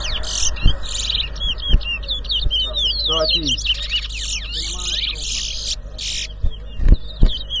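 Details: A towa towa sings loudly and continuously at a 2022 bird whistling competition in Rosehall Town, Guyana: dense high warbling, slurred whistles and buzzy bursts, with brief spoken voices and thumps.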